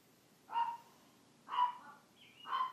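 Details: A 14-year-old African grey parrot, kept as a pet, gives three evenly spaced, hoarse, bark-like calls about one second apart, with a brief faint whistle before the last.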